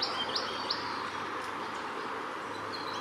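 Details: Spotted Pardalote, subspecies punctatus, on the northern NSW coast on 9/9/18, giving three quick, high, thin notes in the first second, with fainter notes later over a steady outdoor hiss.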